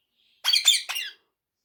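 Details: Talking rose-ringed parakeet kept as a pet and taught Urdu and Hindi gives three rapid, harsh, scratchy squawks in under a second, in a quiet room.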